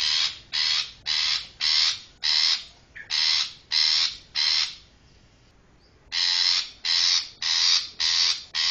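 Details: Long-tailed shrike call used as a lure for trapping: harsh, rasping broadband notes repeated roughly twice a second, with a brief pause near the middle before the series resumes.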